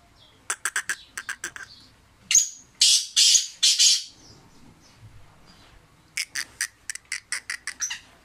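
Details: Sindhi black francolin, described as a fearless bird, gives rapid dry clicking series, then three long harsh rasping notes in a row, then another run of quick ticking clicks.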